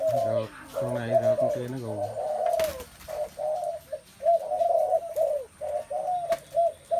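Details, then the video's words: A human voice speaks briefly over cooing spotted doves, then many birds keep up short, low, rounded coos in quick uneven bursts, with a faint steady high whine throughout. "tiếng chim cu gáy"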